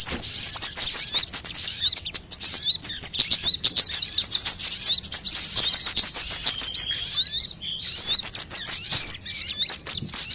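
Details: Lure sounds of various sunbirds, intended to attract birds and spur them into song: long unbroken high twittering, rapid chips and short trill series, with two short lulls along the way.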